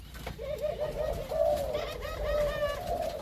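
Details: Spotted dove of a Malaysian strain, part of a captive male-female breeding pairing; a continuous low, wavering coo lasting about three seconds over a steady background hum.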